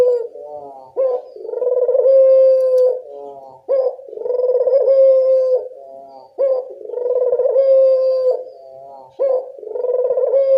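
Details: Lure call of a local Barbary dove, used to make other doves respond: low phrases repeated about every 2.7 seconds, each a short rising note, then a rolling coo and a drawn-out steady tone, with softer murmuring between them.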